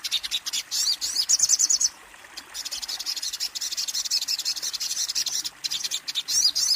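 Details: Kolibri ninja, a small sunbird, giving very high, thin trills in rapid buzzy bursts, broken by a short pause and then resuming in quick chattering runs.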